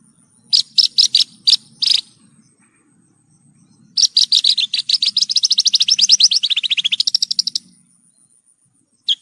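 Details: Masteran tutor recording of Horsfield's bush lark song for caged birds: five loud separate chirps, a pause, then a long rapid trill that dips and rises in pitch before stopping, with one last note.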